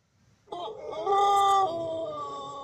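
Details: A Pelung rooster crows loudly at high volume: a long, rich, drawn-out tone that rises, swells, then holds steady and continues to the end.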